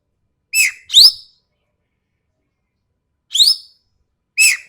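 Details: Sumatran ekek keling, described as sharp and coarse, gives harsh, ringing double notes: a down-curved rasp followed quickly by a rising one. A long pause comes before another pair, with no other sounds.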